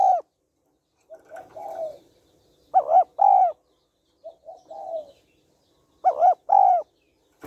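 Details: Female spotted dove giving calling, urging and cooing notes to stir a male: soft trilled coo phrases alternate with pairs of loud arched coos, pattern repeating three times.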